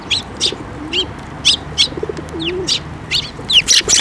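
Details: Loud, busy chirping from sparrows gathering to be fed on a bridge at a Tenmangu shrine, 5 May 2024, with short notes tumbling over each other and a soft dove-like coo twice beneath them.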